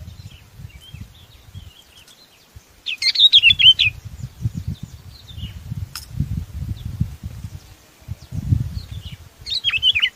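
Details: Sooty-headed bulbul flock call: a short cluster of bright, tumbling whistles, then a lone looping note near the end, over steady low rumbling background noise.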